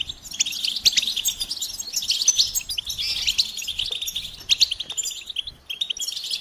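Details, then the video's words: Goldfinch singing: a rapid, continuous twittering of high, tinkling chirps and short trills, with bright notes stacked closely and barely pausing, over a quiet background. "Experience the Goldfinch Singing"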